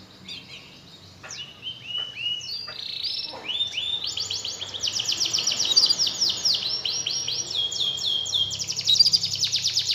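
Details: Canary song used as a lure to stir a lazy, silent canary into singing again; a long, loud, high run of rapid trills and rolling phrases, the notes repeating in fast series with sweeping slurs, building in strength toward the end.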